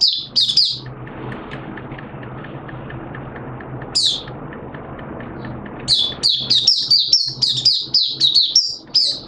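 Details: Malaysian Oriental white-eye kept by a bird hobbyist, singing in open song on 21 June 2023: brief high twittering bursts at start, then a steady low rumbling hum, before a fast chain of sharp, high chirps resumes.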